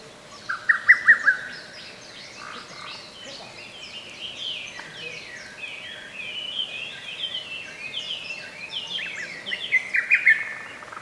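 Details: Lesser cuckoo in a forest park, 15 May 2024. A short staccato phrase opens the clip and another closes it, with busy, scratchy songs of other birds filling the gap between.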